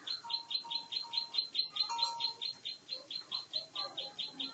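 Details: Ciblek sawah prinia, a champion bird in fighting mode, delivering a rapid, regular train of sharp buzzy notes, over two per second, with brief thin whistles underneath.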